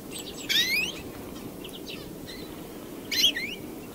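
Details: European greenfinch singing more faintly: two buzzy phrases, each a rasping burst followed by rising thin whistled slurs, separated by about two and a half seconds of quiet with faint distant notes.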